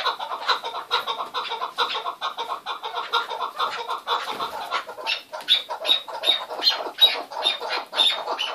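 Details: Chukar partridge in a keklik hengamesi calling bout: fast rhythmic series of rough clucking notes, roughly two per second, with a brighter, higher-pitched edge creeping in toward the end.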